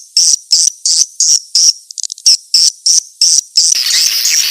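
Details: Call of the edible-nest swiftlet used to lure swiftlets: short, high, buzzy chirps repeated about three times a second in an even rhythm, ending in a longer, blurred twittering stretch.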